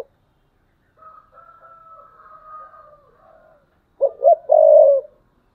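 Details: A decoy spotted dove sings a thúc bổi phrase near the end: two quick low notes and a held coo. Before it come several seconds of faint, thin high whistles.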